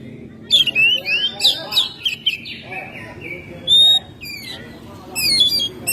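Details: Home-kept Oriental magpie-robin in energetic May singing. It gives a varied run of whistled slurs and quick chirps, some rising, some falling, with short pauses and a sustained high whistle near the middle.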